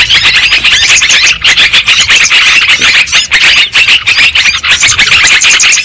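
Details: Yellow-vented bulbul (trucukan) lure recording meant to attract birds: dense, loud chattering and squealing notes packed between two and eight kilohertz, continuous with no pauses, apparently several overlapping callers.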